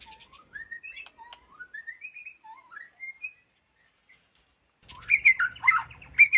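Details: White-rumped shama in an aviary calling to its flock: a slow sequence of soft, rising whistled notes, a pause, then a loud, rich burst of tumbling notes.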